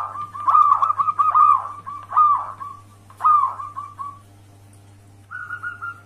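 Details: Local wild zebra dove used as a lure to draw other zebra doves to answer: a string of soft, even cooing notes, several short rounded coos in a row, then a pause and one longer steady tone, over a low constant hum.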